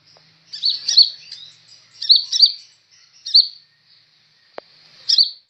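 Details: Kolibri ninja sunbird in full song as a tutor recording, giving clustered high chips and twittering phrases over a thin continuous whistle, with one short click partway through.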